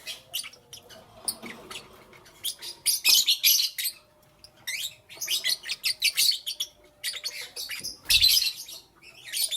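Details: Lovebirds chirping in the morning, presumably kept as pets: bursts of sharp, high, harsh chirps and squeaky chatter in quick clusters, with short quiet gaps and a faint low thump near the end.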